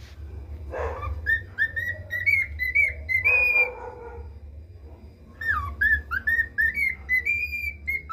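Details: Learning the national anthem, a pet male cockatiel whistles two melodic phrases of sliding, bright tones separated by a pause, with a soft low hum underneath.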